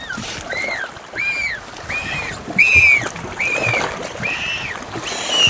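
A Galápagos penguin fledgling begs with a fast series of high, arched squeals, about one every three-quarters of a second, over lapping water.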